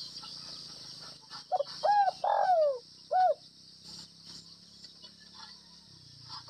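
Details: Spotted dove, Tây Bắc type from Northwest Vietnam, in gáy gù (bo) style: faint lead notes, an arched coo, a long slurred descending coo, a short arched coo, then a further coo starting at the end. Faint low rumble and insect hum behind.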